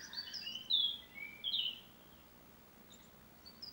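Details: Japanese tit gives the harsh, buzzy "jar-jar" call used on encountering a snake, shown experimentally to mean "snake": a few rasping notes in quick succession over about two seconds, then quiet with faint outdoor noise.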